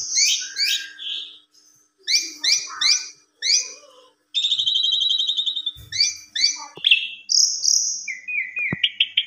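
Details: Asian pied starling song, lilting and varied, played to prompt stalled starlings to sing: clusters of high chattering notes, a long trilled buzzy phrase, clear whistles and a few sharp clicks between phrases.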